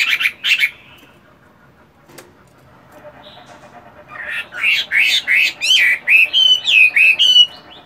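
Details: Caged Chinese hwamei practising its song on a morning during moult: two sharp notes, a pause of scattered faint sounds, then a rising burst of fast, clear whistled notes that swoop up and down.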